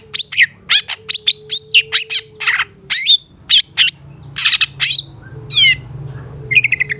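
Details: Master recording of long-tailed shrike song for tutoring caged birds: a quick run of sharp chattering notes and sliding whistles, a short pause, then trilled and buzzy phrases, over a faint steady hum.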